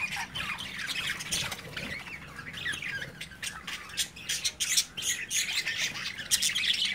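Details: Caged budgie babies at play with their parents looking on: busy, irregular chirps and raspy squawks, several birds overlapping, bursts roughly three per second.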